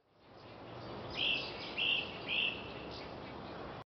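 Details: Great crested flycatcher singing on May 23, 2017, in McKinney, Texas, giving three short, burry, high notes about half a second apart, over a steady background hiss.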